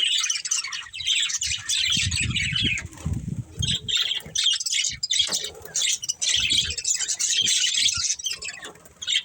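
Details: Breeding pair of budgerigars chirping in bursts of high warbling chatter, interrupted by loud low wing-flapping or rustling around two to three seconds and again near six seconds.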